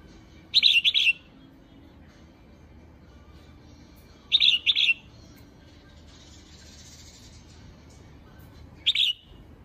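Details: Calling female red-whiskered bulbul meant to rouse males, three bursts of bright, rapid warbled notes spaced about four seconds apart, the last one shorter, with a soft hiss between.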